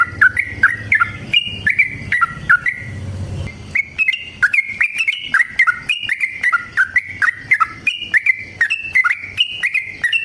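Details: Long fighting song from a yellow-vented bulbul, intended to stir other bulbuls into singing: continuous run of fluty, chattering whistles stepping between two pitches, with a short low rumbling gap near the start.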